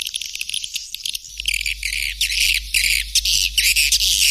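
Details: White-nest swiftlet calls: dense, high, buzzy chattering in rapid pulses, steady and unbroken over a low constant hum.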